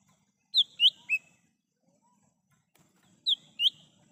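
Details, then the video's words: In the wild, a lesser green leafbird gives bright, high whistled notes in two quick phrases of three and two, each note sharply rising or falling, over a quiet low rumble; recording intended as a lure. "Suara asli cucak hijau mini / cucak Rante di alam liar bisa untuk pancingan dan panggilan"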